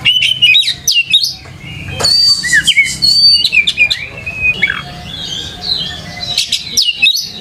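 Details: Lure song of an Oriental magpie-robin, meant to get other magpie-robins singing in response; a long run of rich, varied whistles, buzzy trills and slurred notes, delivered loudly and almost continuously.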